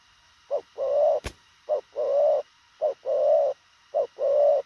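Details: Spotted dove in fast cooing: four repeated couplets of a brief soft coo and a longer, rich, hollow coo, steady rhythm, one sharp click partway through.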